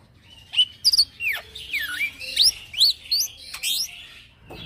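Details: Mix of clear upslurred whistles, swooping downslurs and rough chatter from a young male Black-winged myna singing in rolling 'ngeroll' style, meant for training other birds.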